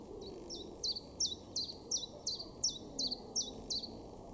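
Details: Common chiffchaff song in a garden in Weener, East Frisia, far northwest Germany, in May 2022: a steady string of high, sharp notes, about two to three a second, with a soft low background hum.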